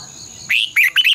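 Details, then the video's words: Short burst of red-whiskered bulbul morning song, used as a decoy to train caged birds: a loud bright whistle followed by quick, sharp, twisting chirps in the long double-voice style. "luyện chào mào hót sáng 2020 - Giọng kép xoắn dài Quá hay hót căng lửa"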